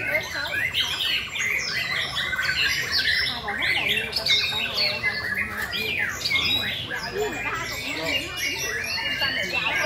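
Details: Dense, overlapping song of White-rumped Shamas at a singing competition in May 2020, during the breeding season: rich varied whistles mixed with harsh squawks pouring out almost without pause, with a woman talking faintly behind.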